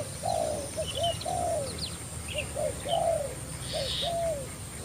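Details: Spotted Dove decoy calling to lure a wild spotted dove that flew over from another decoy; mellow, clear arched coos delivered in two rhythmic phrases, each ending with a drawn-out note, and faint bird chirps above.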